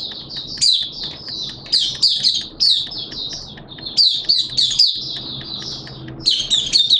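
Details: Mata puteh, a Malaysian Oriental white-eye kept for the bird hobby, in buka sing song: long jumbled runs of high twittering and chirped notes, rising and falling in loudness, with a faint hum behind.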